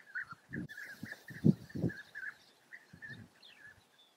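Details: Several European bee-eaters giving short, throaty rolling calls about every third of a second, with dull low thuds mixed among them and a few faint high chirps.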